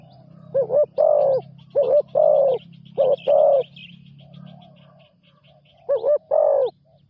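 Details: Spotted dove in its first decoy training outing on the ground: three bursts of paired coos, a quick double note followed by a longer rounded one, separated by pauses, over a low steady hum and faint high twittering.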